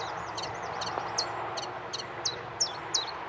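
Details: Common chiffchaff recorded on Aylesbeare Common, 16 June 2020, delivering its high, sharp two-pitched notes roughly three a second, growing louder toward the end, over a steady background hum.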